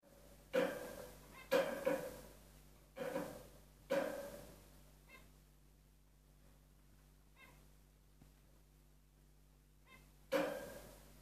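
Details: Zebra finch giving short, nasal, honking calls at irregular intervals over a faint steady hum, while a pet male tugs at the rope of a swing, trying to pull it off for nest material.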